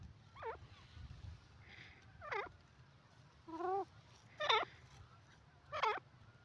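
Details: Calls of a black francolin pair: a series of grating notes that bend down then rise, five or six spaced roughly a second apart, some stacked and buzzy, over a faint low hum.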